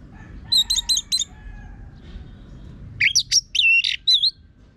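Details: Orange-headed thrush (anis merah) singing hard with a rough voice, used to prompt birds to sing along: a quick cluster of high ticking notes, a short gap, then loud squeaky whistled and wavering phrases.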